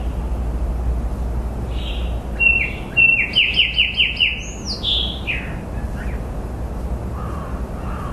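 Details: Songbird phrase midway: scattered soft notes, then a rapid run of about six bright falling chirps and a high sweeping whistle tumbling downward, followed by quieter low calls over steady low-frequency noise.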